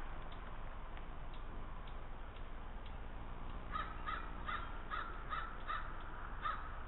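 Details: Wild crow croaking near Lake Superior at Thunder Bay, Ontario, Canada, on 22 July 2010, after a fox is offered a cookie; quiet start, then a run of about seven harsh caws spaced roughly every half second.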